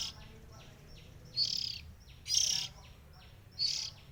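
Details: Oriental magpie-robin, one of three sibling birds, giving three loud scratchy high bursts spaced about a second apart, with soft descending whistles between them.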